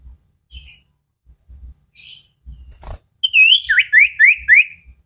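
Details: Common iora of the sirtu type, a caged bird, singing energetically in a training recording: after soft scattered chirps and low thumps, a run of loud clear whistles sweeping steeply upward, repeated about every half second.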